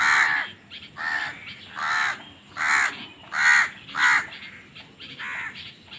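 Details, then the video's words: A steady run of seven rasping crow caws, roughly one per second with short pauses, loud and close, from crows squabbling over food. "Crow Bird Crowing Sounds"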